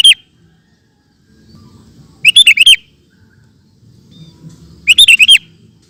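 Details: Two rapid bursts of four or five warbled, whistled notes from a sooty-headed bulbul singing ropel style, about two and a half seconds apart, over a quiet low murmur.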